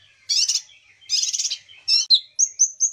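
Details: Kinoi song used to prompt silent kinoi to sing; harsh grating bursts give way to a few thin, high, short whistled notes.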